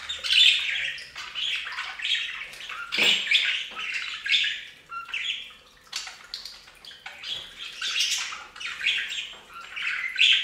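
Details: Budgerigars taking a bath on a bird fountain, chattering with rapid warbled chirps and harsh squawks in short overlapping phrases, one low splash near the third second.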